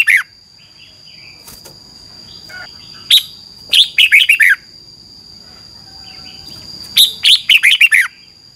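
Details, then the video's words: Red-whiskered bulbul song recorded in Thailand as a training track: two loud phrases of rapid rollicking whistled notes, each about a second long, separated by quieter distant chirps and a steady high tone. "ฝึกนกกรงหัวจุกคึก เสียงดีมาก เต็ม - ฝึกร้องเพลงร้อง"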